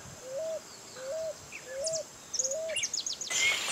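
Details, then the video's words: Pigeon or cuckoo recorded in 2018, giving four short arched mid-pitched notes spaced about 0.7 seconds apart, followed by a burst of high thin chirps from other birds. "Cantos y gritos de aves Familias Columbidae y Cuculidae"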